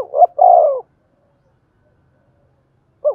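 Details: Spotted dove cooing to stimulate wild-caught doves, thổ đồng voice: the close of a phrase with its long falling coo, a pause of over two seconds, then the short opening notes of another phrase.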